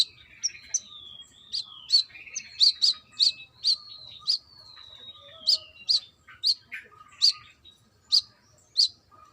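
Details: Female brown-throated sunbird calling a male: sharp high chirps mixed with long, thin, descending whistled slurs, then spaced single notes, over a faint hum.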